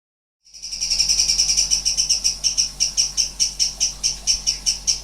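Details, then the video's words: Sooty-headed bulbul (cucak cungkok) singing in bursts of strange sounds: a high, buzzy, rapid-fire series of pulsed notes that starts abruptly, then slows into separate rasping pulses about four per second. "Cucak Cungkok"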